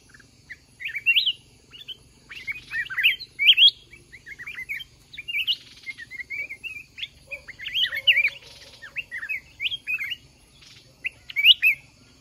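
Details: Mountain red-whiskered bulbuls at a trapping contest with a decoy kept caged one month; repeated bursts of sharp chirps and slurred whistles with short silences between, occasional wing-flutter noise.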